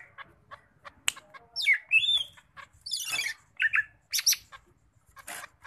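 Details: Kept Sumatran leafbird (cucak ijo medan) singing energetically, unloading its repertoire of learned imitations: a jumble of whistled slurs, harsh buzzy bursts, rapid chattering notes and sharp clicks, separated by brief pauses.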